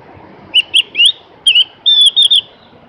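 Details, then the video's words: Javan grey-throated white-eye: a series of loud, clear, bending high chirps in short groups, with a longer steady whistled note near the end. "kicoan merdu burung Opior jawa atau cak gentong"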